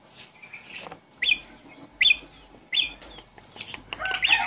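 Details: Javan pied starling, a kept cage bird, in a lure recording played to get a silent bird singing again: sharp high chirps and short rising whistled notes roughly every three-quarters of a second, ending in a busier scratchy burst.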